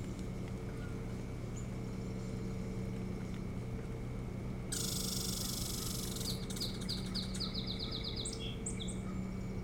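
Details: Osprey on a Hog Island, Maine nest, filmed by nest camera 25 July 2018: a loud rushing noise burst, then a rapid series of piercing, descending whistled chirps and a few higher notes, all over a low hum.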